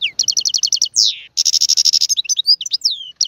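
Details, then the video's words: Tiwawati-style goldfinch song: a row of evenly spaced sweet notes, a sliding downward whistle, then a dense buzzy trill and scattered high twittering. "اسمع واستمتع تغريد الحسون طيواواطي"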